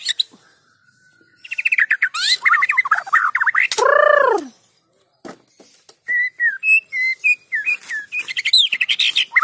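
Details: Lure song of a white-rumped shama, meant to set other shamas singing: a long flat whistle, then a rapid stream of harsh notes, a loud descending whistled sweep, a pause, and a string of short clear whistled notes.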